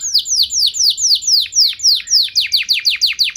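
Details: Canary in vigorous song, intended to excite other canaries into answering; a series of loud, sweeping downslurred whistles, roughly three per second, speeding into tighter sharper notes at the end.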